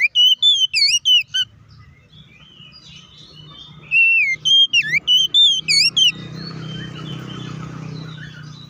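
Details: Oriental magpie-robin song for provoking other magpie-robins, two fast bursts of clear whistled and upswept notes, then a steady hiss of background noise in the final seconds.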